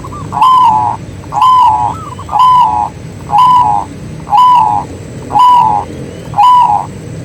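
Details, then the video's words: Local zebra dove in full song, played as a lure for other doves: seven evenly spaced, clear cooing notes, about one each second, over a steady low rumble in the background. "BURUNG PERKUTUT LOKAL GACOR SUARA COCOK UNTUK PANCINGAN || ZEBRA DOVE"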